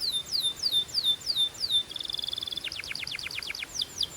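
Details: Belgian canary singing to warm up and excite hens: evenly spaced descending whistled notes, then a fast buzzy pulse train, followed by a rapid series of sharp downslurred chips.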